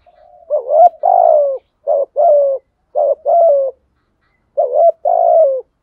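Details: Spotted dove cooing in the 'thổ sấm' voice style, used to stimulate other doves to coo in the rainy, windy season: three mellow two-part phrases, a short rising note then a longer falling coo, separated by brief gaps.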